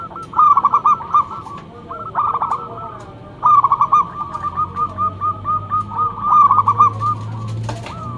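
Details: Local zebra dove kept for luring, loudly giving bursts of quick clipped coos, the phrases separated by short gaps then running into a long steady series of notes.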